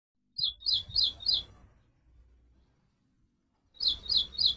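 Little Woodstar giving high, thin chirps, four in quick succession, a pause of about two seconds, then three more, over faint low background noise.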